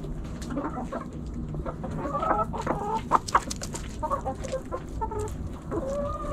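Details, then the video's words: Backyard chickens, hens and roosters together, pecking and scratching; a busy run of short, throaty clucks, some with a rising or bending tone, comes in quick irregular bursts over a steady low background rumble. "Backyard Chickens Hens And Roosters Pecking Scratching Sounds Noises Hens Clucking Roosters Crowing!"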